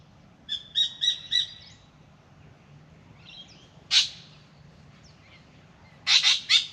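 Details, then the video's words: Spangled drongo in an Australian backyard in the morning, visiting a birdbath for a drink: a short series of harmonic, rattling notes near the start, then harsh broadband chattering bursts, with quiet low hum beneath. "Beautiful Spangled Drongo sings and comes for a drink"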